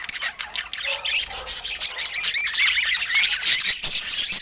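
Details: Budgerigars chattering as they feed: rapid, jumbled high squawks mixed with short rising whistled notes and scattered sharp clicks.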